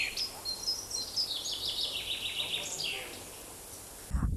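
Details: At a forest edge, a tree pipit sings a melodious, bright, high series of notes sliding gradually lower, a song it begins perched and continues in flight; background hiss underneath, with a low thump at the end.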